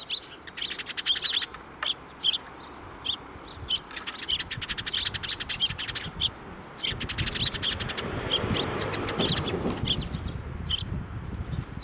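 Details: Dense, lively chirping from sparrows flocking in for food near a Tenmangu shrine, 19 April 2024, bursts of rapid high notes with a brief broader rustle toward the end.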